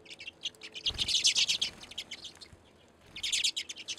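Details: Redpolls at a seed feeder on a back deck in Anchorage, Alaska, in winter (February) chatter in two bursts of rapid, high, dry twittering, several birds calling over one another, with a soft thump near the start.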